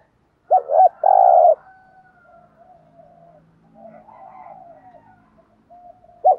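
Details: Spotted dove (cu gáy) doing a "thúc gù" call to lure wild doves. One loud phrase, a stuttered double note and then a long hoarse coo, is followed by several seconds of faint low murmuring. A new phrase starts just at the end.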